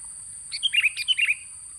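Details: Sooty-headed bulbul song for luring birds: two closely spaced bubbly phrases of fluty, warbled notes, each about a third of a second, with a continuous high-pitched hum behind.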